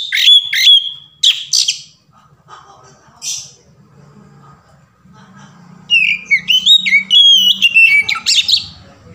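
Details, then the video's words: Varied 'ngeplong' song of an Oriental magpie-robin, used as a lure to set off singing: opening loud held whistles, a quieter gap with a low hum, then a lively run of slurred whistles and chattery notes. "SUARA KACER NGEPLONG VARIASI | PANCINGAN KACER"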